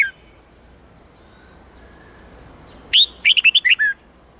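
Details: Red-whiskered bulbul singing an 8-9-10 note wild-standard song used to train young birds; after near silence, one loud burst of about seven clear, slurred whistled notes, rising then dropping, near the end.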